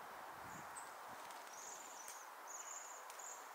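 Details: Waxwings in December 2023, a flock visiting a tree to feed on berries in winter; thin, very high trilling notes in short bursts over steady broadband background hiss.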